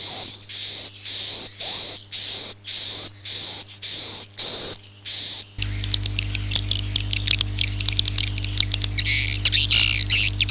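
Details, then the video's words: Swiftlet call in the 'Akau ngaji' style: about ten buzzy high chirps, each with a thin whistled tone, repeated at a steady pace, then a busy stretch of rapid high twittering and clicks over a low hum. "suara walet Akau ngaji Original"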